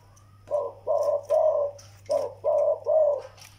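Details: Zebra dove pair, a young Malay bird and an elderly Vietnamese decoy: after a short quiet start, six evenly spaced soft coo bursts of under half a second each, low hum in the background.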